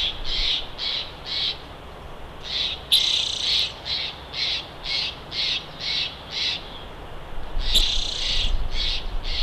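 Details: Bald eagle at its nest at Big Bear, picked up by a live nest camera: a series of short, harsh, high chipping notes about twice a second, with brief louder squealing bursts mixed in.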